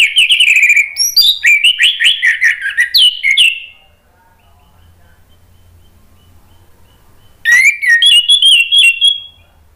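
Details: Orange-headed thrush, recorded as a lure to make a bird sing, delivering a dense rush of mellow whistled and warbled notes for about three seconds, then a pause, then another lively varied phrase.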